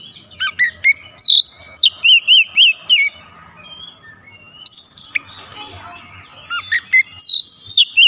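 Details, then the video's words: White-rumped shama (kacer) song of varied loud whistles, with quick repeated warbled notes and rising and falling sweeps. Phrases come in bursts separated by brief quieter pauses. "KACER LAIN LANGSUNG IKUT BOCOR ISIAN SUARA"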